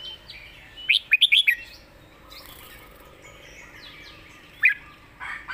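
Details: Master-song (mae bot) style red-whiskered bulbul: a rapid cluster of loud, clear whistled notes early on, one more sharp note later, against faint background chirping.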